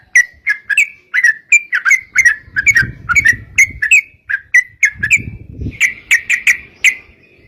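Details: Sooty-headed bulbul in chatty 'gacor' song, used to prompt other bulbuls: sharp whistled chirps in pairs and triplets at an uneven pace, with patches of low rumbling noise.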